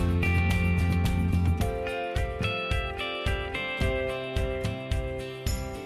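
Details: Plucked acoustic guitar music plays throughout, with strummed chords and no animal voices.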